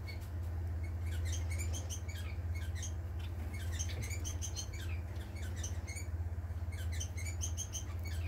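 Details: Several society finches, a pet family, on 18 April 2020 give quick, thin, high chirps in irregular bursts, several per second, over a steady low mechanical hum.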